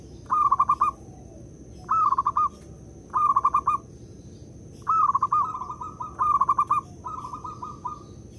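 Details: Local zebra dove used as a lure to prompt others to coo, giving five soft, trilled, bubbling coo phrases at irregular gaps of about one to two seconds, with a faint constant high-pitched whine behind.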